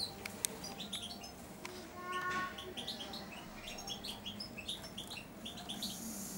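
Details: Four-month-old European goldfinch in a cage, hand-fed daily, babbling subsong: a brief run of clear whistled tones mid-clip, then a string of soft, rapid high chirps and twitters, with low background hum.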